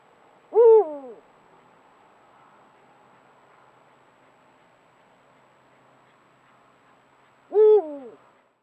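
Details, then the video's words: Eurasian eagle-owl hooting in rocky terrain in Ciudad Real, Spain, captured by a Browning Spec Ops Advantage trail camera; two deep, short hoots spaced about seven seconds apart, with near silence between them. "Gran Duque llamando"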